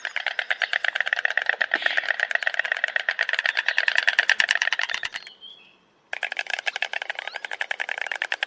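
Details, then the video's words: Stork clattering its bill in a rapid, rattling series of dry knocks, steady for about five seconds, a brief pause, then resuming at the same fast pace. "O som da cegonha, barulho da cegonha"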